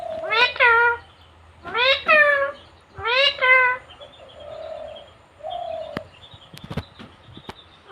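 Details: Indian talking parrot kept as a pet, said to say many things: three loud, buzzy, harmonic squawks about a second apart. Softer humming tones and a few sharp clicks follow.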